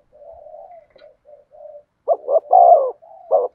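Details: Spotted dove cooing in the thổ sấm song style: soft, low, drawn-out coos at first, then louder, throaty coos in short bursts with one long, strong note.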